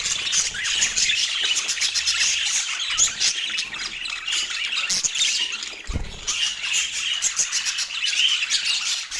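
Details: During morning feeding in autumn, pet parakeets chirp and squawk in quick high overlapping runs, with a brief low thump near the middle and dips in the chatter.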